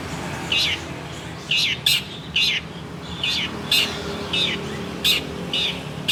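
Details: Kept long-tailed shrike of the local Banyuwangi type, noted for a loud, varied voice and mimicry, giving harsh scratchy notes repeated roughly every half second to a second, some doubled, against a soft background murmur.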